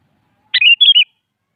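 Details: A single half-second phrase from a sooty-headed bulbul answering a rival in the morning: a sharp opening note followed by three bubbly, slightly falling warbled notes.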